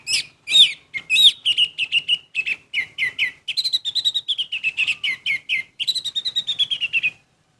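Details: Orange-headed thrush pouring out a long, energetic song of sharp, rapidly repeated whistled and chirped notes, several phrases sliding down in pitch, continuing almost without pause for seven seconds.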